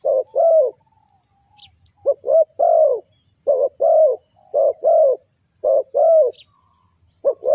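A Spotted Dove gives soft, deep coos in short two- and three-note phrases, about one phrase every second, with faint high chirps from other birds behind.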